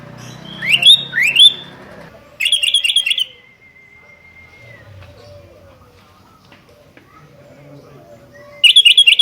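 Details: Sooty-headed bulbul calling to challenge a rival: a pair of rising slurred notes, then a fast bright burst of chattering notes about a second long. After a long quiet stretch, a second rapid burst closes the sequence.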